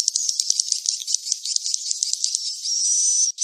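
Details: Swiftlet roosting call played to attract birds to a farmed roost: quick rattling ticks repeated several times a second, merging into a long thin high whistle at the end.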